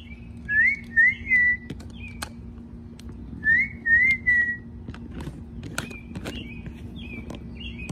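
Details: Pet Amazon parrot at home, eager to see its owner: short clear whistled phrases, each rising then levelling, given in two bursts of three about three seconds apart, with faint softer whistles after and a steady low hum indoors.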